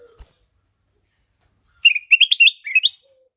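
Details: Ruby-throated bulbul giving a melodious song: after a quiet start, a quick burst of bright, warbled notes that jump up and down, about one second long, over a steady high electronic whine.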